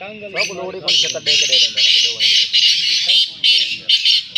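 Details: Black francolin (Francolinus francolinus) calling fast in greenery: a rapid series of harsh, grating, rasping notes, about two or three a second; a man speaks briefly at the start.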